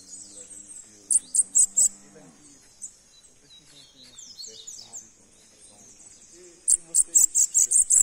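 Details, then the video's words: A sibite, or bananaquit, gives a few sharp, very high notes, then faint thin twittering, ending with a fast, evenly repeated string of shrill pulses. "Sibite ROXINO Cantando"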